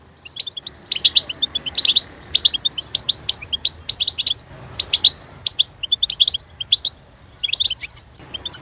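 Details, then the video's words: Goldfinch singing a fast run of high, bright chirps and twitters in dense phrases, broken by short pauses around the middle and near the end, over a soft low hum. "song potential for goldfinch"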